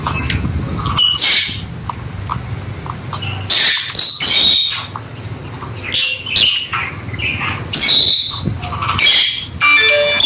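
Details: Pet peach-faced lovebirds play together, with sharp high chirps and squeaky tweets in irregular bursts separated by short quiet gaps.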